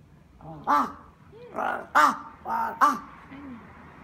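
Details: Crow in Japan that has befriended a person: a run of hoarse caws, some short and sharp, others longer and broad, roughly one every half second, ending with a soft low note.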